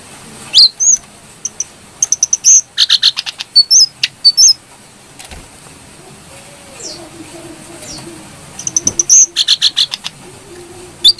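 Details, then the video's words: Lively brown-throated sunbird whose clear song serves as a master recording for training birds: repeated bursts of rapid, sharp, very high chips and twisting whistles, a quiet stretch midway, then more fast chip series. "Pancingan burung kecil nembak,Jongkangan gacor -isian pedas birahi stabil"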